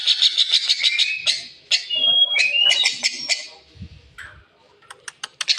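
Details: Rosy starling making harsh, unusual calls: grating chatter of rapid pulses mixed with short whistled slurs, a louder raspy burst near the middle, then scattered sharp clicks after a quiet gap.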